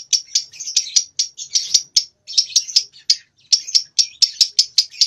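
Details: Two-month-old lovebird learning to sing, phrases still short; fast chattering pulses in clusters separated by brief pauses.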